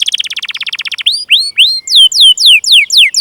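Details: Canary song for luring other canaries to sing: a rapid rattled trill of short notes, then clear, loud, arching downslurred whistles about four per second.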